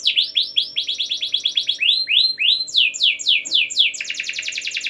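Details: Canary pouring out long 'gacor' song to trigger singing in other canaries: successive trill phrases of down-swept notes shift speed and pitch, finishing in a dense, buzzy rapid trill.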